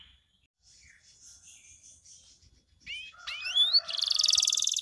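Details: Canary lure song meant to set quiet canaries singing. After faint, thin notes, loud rising whistled chirps lead into a long, dense, buzzy roll.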